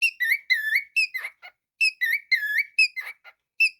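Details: Pet cockatiel whistling a lively tune of short looping phrases, sliding notes and quick chirps with gaps between bursts, about two phrases a second, with no other sounds.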